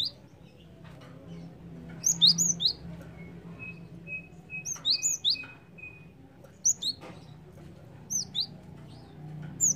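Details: {'caption': 'Java sparrow call played as a lure to draw in birds: clusters of sharp, high tweeting notes in irregular bursts, several chirps per burst, with brief steady whistle tones between them over a low hum.'}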